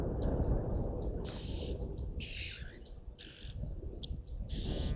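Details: Oxpeckers at an African waterhole beside a bull elephant resting in the heat, on 7 October 2024, give short, hissy, buzzing chirps, several each second, over a steady low rumble of wind or background noise.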